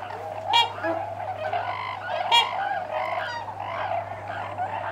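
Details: Trumpeter swans, four or five landing close by, give nasal, horn-like trumpeting honks in overlapping bursts, with louder blasts about every two seconds over a steady low hum, while Tundra swans call in the background.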